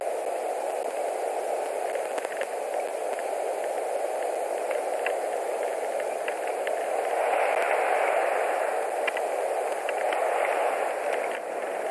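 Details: Steady hissing static with a broad band of noise and faint crackles, with no animal voice heard.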